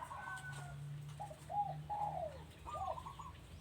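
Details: Soft, short dove coos heard at a home, a few separate rounded notes and a rising phrase over a steady low hum.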